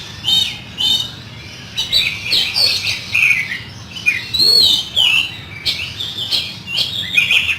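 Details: Oriental magpie-robin delivering rough fill-in song: continuous varied phrases of sharp whistles, trills and harsh scratchy notes, steady and energetic throughout, one lower slurred note midway.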